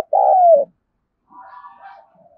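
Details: Spotted dove cooing to stimulate wild doves: one loud, smooth, slightly falling coo, followed after a pause by a fainter, wavering murmur.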